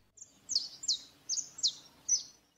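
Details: Saffron finch (Sicalis flaveola) in a city in Brazil sings a series of sharp, high, down-slurred chips, spaced about half a second apart.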